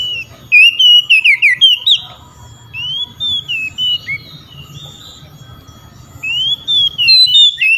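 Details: Oriental magpie-robin in loud rival-calling song, answered by other magpie-robins. Fast series of bright, looping whistles, then quieter spaced whistled notes, and finally another rising loud phrase.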